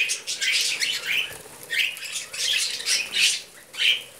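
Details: Several short squawky chirps and chattering phrases from budgerigars eating vegetables, arriving irregularly roughly every half second, with sharp rising notes near the end.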